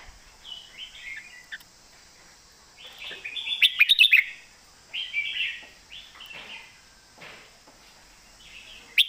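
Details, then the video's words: Red-whiskered bulbul giving master-pattern song, somewhat softer: scattered chirpy whistled phrases and one fast rattling cluster of notes in the middle, over a steady high-pitched background whine. "เสียงดัง ฟังชัด"ซัดเต็มข้อ นกเสียงทองเพลงแม่บท"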